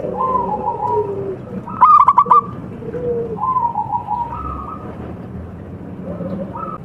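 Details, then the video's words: Zebra dove of local Java stock cooing for song contests: mellow, steady coos with one burst of fast staccato notes partway through, followed by more slow, level cooing. "MASTERAN PERKUTUT LOKAL SPECIAL KONTES | TURTLE DOVE JAVA BIRD (COLUMBIDAE) SINGING"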